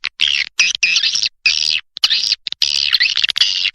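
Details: Swiftlet calling sound used as a lure to attract swiftlets: bursts of dense, buzzy, high twittering chatter, each lasting a fraction of a second to half a second, separated by short silences.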